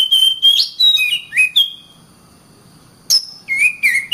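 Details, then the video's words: Oriental magpie-robin song meant for tutoring other birds: a few bright whistled notes and clicks, then a long silence before falling slurred whistles resume. "Burung Kacer"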